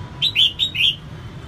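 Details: Female red-whiskered bulbul, a cage bird, singing to spur males on: four rapid, loud, liquid whistled notes, slurring up and down, delivered in under a second over faint low background noise.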